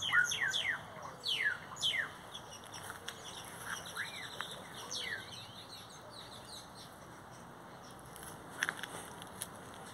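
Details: Great-tailed grackles singing near a Brugmansia tree: several sharp rising and falling whistled sweeps and squeaky slurred notes in the first five seconds, then quieter scattered notes and a steady high hum in the background.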